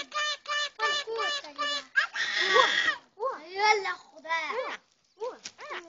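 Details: Common myna producing talking sounds: rapid series of harsh, nasal, speech-like harmonic syllables, a raspy burst, then swooping warbled notes with short gaps between phrases.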